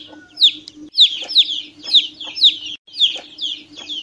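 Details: Chick peeping: around seven shrill downward-sweeping calls at roughly half-second intervals, with a brief gap partway through, over a steady faint hum.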